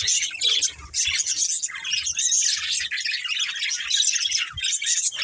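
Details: Several pet budgerigars kept as a family group, chirping continuously: a dense, busy chatter of high twittering and scratchy notes with no pauses, occasional short squawks mixed in.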